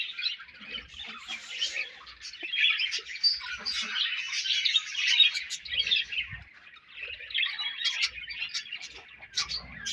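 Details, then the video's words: Budgerigars chattering while feeding and passing food between each other: busy overlapping high twittering and warbled chirps that swell and fade, with a few faint low knocks. "Budgies Chirping Sounds"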